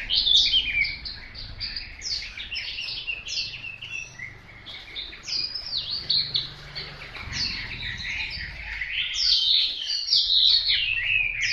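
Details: Chosen Hwamei delivering a long, fast medley of chirps, slurred whistles and warbles, with low background rumble underneath.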